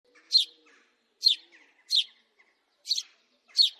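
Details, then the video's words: House sparrow giving loud, sharp chirps, about one per second, each a short bright burst with brief quiet gaps between notes; a faint low hum sits underneath. "تغريد طائر الدوري the sound of the house sparrow"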